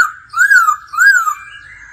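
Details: Laughingthrush singing in daily voice practice with a female nearby: two long, smooth whistled notes, each rising then falling, followed by a softer steady whistle trailing off.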